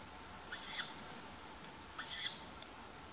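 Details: A young tawny owl begging for food from its parents, recorded on a May night in Funbo, east of Uppsala, Sweden, gives two hoarse, wheezy hissing calls about a second and a half apart, with faint clicks between them and a quiet background.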